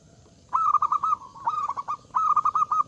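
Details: Loud zebra dove song inviting rivals: three close phrases of quick, evenly spaced staccato coos, each ending in a short sustained note.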